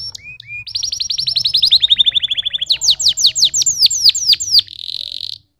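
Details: Canary delivering a long rolling trill that slowly falls in pitch, followed by quick descending sweeps and a closing buzzy rattle.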